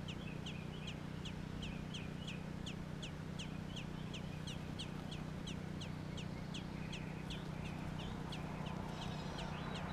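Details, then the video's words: Baby American robins in Georgia keep up rapid, regular high peeping, about four short sharp notes a second, with a continuous low hum in the background. "Baby robins"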